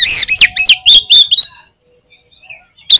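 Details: Singing Oriental magpie-robin in full voice: a rapid run of loud, clear, slurred whistles, some rising steeply and some falling, then near-silence with faint distant chirps, and a fresh loud note at the end.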